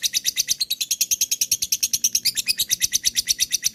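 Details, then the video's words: Rapid, shrill 'ngekek' chatter from a lovebird, meant to set other lovebirds chattering: tightly packed high pulses throughout, steady in pitch with small wavering. "MP3 LOVEBIRD ngekek, diamkan pakai pancingan ini auto ngekek"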